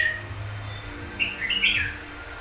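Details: Red-whiskered bulbul, a wild-caught caged bird bought one month earlier, giving a short burst of bright, quick warbled notes late in the clip over a steady low hum.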